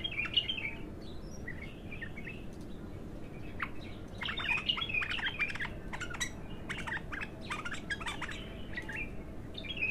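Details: Bulbul singing untrained for the first time: brief warbled phrases opening into a dense run of sharp clicks and twittering notes, fading to scattered chirps.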